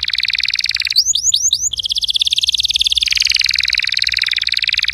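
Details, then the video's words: Canary song, played so a silent canary starts singing: a rapid rolling buzzy trill, interrupted by four quick rising whistles, then the dense pulsed rolling continues and drops slightly in pitch. "PUTAR VIDEO INI JIKA KENARI ANDA MACET BUNYI"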